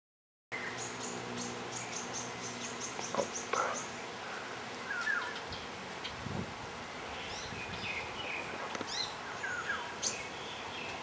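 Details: An Asian glossy starling on Ko Lanta, Thailand, gives a fast run of thin, high ticking notes, then scattered sharp metallic whistles and short squeaky slurs over a low background hum.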